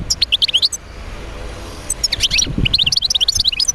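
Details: A European goldfinch sings to encourage other goldfinches to sing, giving a quick run of bright liquid chirps, pausing about a second, then resuming a dense, jangling stream of high twittering notes.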